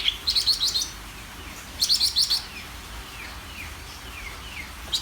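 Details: Greater green leafbird song, two quick bursts of sharp, rapid high chips, each about a second long, with soft descending slurred whistles between them.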